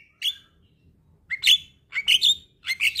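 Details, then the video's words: Javan myna song: short, sharp, harsh whistled notes and metallic chirps in separate bursts, with a quiet low rumble underneath. "Terapi Burung Jalak Stres Macet Bunyi"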